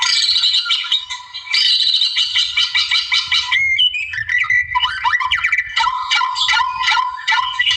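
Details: White-rumped shama singing in the wild, song meant to provoke a rival: loud, varied phrases of rapid buzzy notes, then clear whistles and slurred rising and falling notes, continuous with low rumbling in the background.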